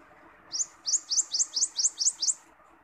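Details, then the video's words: Wild common iora (cipoh), recorded for song training and as a lure: a quick series of eight short, sharp, upward-sweeping high chirps, about four per second, over a steady low background hum. "Burung Cipoh Liar Suara"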